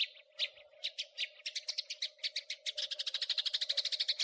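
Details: House sparrow giving crecetan-style chatter, recorded as a master track for tutoring songbirds: spaced sharp chirps that speed up into a rapid, even chattering run, over a steady low electrical hum.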